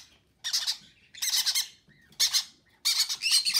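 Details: Conure chicks begging as parents feed them: four loud bursts of gritty, pulsing squawks, each under half a second, separated by brief silences, recorded February 6.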